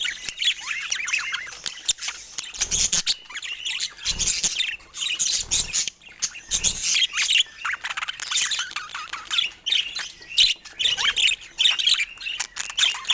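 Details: Pet budgerigars busy with toys in the morning, a long stretch of dense high twittering and scratchy chatter, with frequent sharp clicks and soft low thumps.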